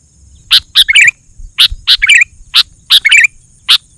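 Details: Sooty-headed bulbul singing hard ('gacor') as lure material: sharp chip notes in pairs, each pair followed by a quick liquid warble of whistled notes, repeated three times.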